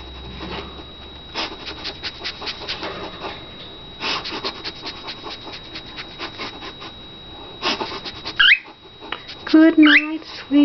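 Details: A 3-year-old male pet cockatiel that says phrases like "hello", "good morning" and "pretty bird" gives shrill, swooping speech-like phrases after a stretch of scratchy clicking and rustling.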